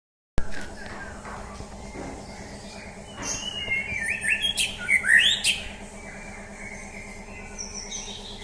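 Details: Champion white-rumped shama during a mental test. After about three seconds of quiet, a burst of bright, varied whistled and chattering phrases follows, then fades. A steady low electrical hum runs underneath throughout.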